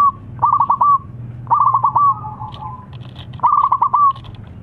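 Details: Zebra dove song that provokes rival doves to call back: three bursts of rapid trilled whistles, each ending in a longer drawn note, spaced about a second apart over a low hum.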